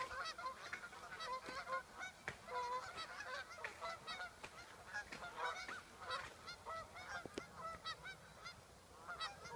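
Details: A flock of sandhill cranes near Waite Park, Minnesota, in August 2014 fills the air with overlapping rolling, trumpeting calls, loud, throaty and continuous, with many birds calling at once.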